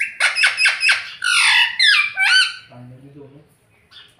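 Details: Rose-ringed parakeet kept as a pet, talking and saying "mummy papa": four quick harsh syllables followed by longer wavering speech-like squawks, fading into soft low murmuring.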